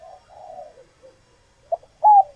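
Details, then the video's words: Caged female spotted dove in laying condition, voice used to rouse males; quiet low wavering coos, then one sharp short note and a loud level coo at the end. "Tiếng Chim Cu Gáy Mái Chuẩn Kích Trống"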